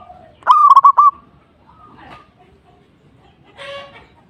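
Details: Local zebra dove (perkutut) in full song meant to rile a rival: one loud, warbling coo phrase of a rising note followed by several quick broken rolling notes, with softer, distant dove-like calls after it.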